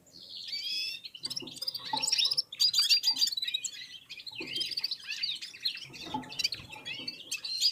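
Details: Red-fronted serins warming up and singing in unison alongside other birds; dense high twittering with quick buzzy trills and thin whistled notes, broken by short pauses near 1 and 2.5 seconds.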